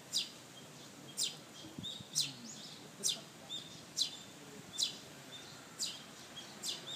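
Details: Sparrow chick begging for food while being ignored. High, sharp chirps are repeated roughly once a second over faint background hiss.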